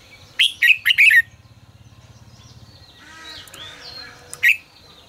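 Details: Red-whiskered bulbul singing the 'ché căng lửa' style for voice training: a fast string of four bright whistled chirps, soft fluttering and faint sliding whistles in between, then one more sharp note.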